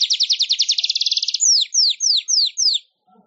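A weaver's high, fast rattling trill, about fifteen notes in just over a second, then five sharp down-slurred whistles; nothing else is heard.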